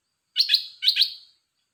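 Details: Caged red-whiskered bulbul singing two quick, bright warbled phrases of paired notes, each about half a second long, with a short pause between them and silence around them.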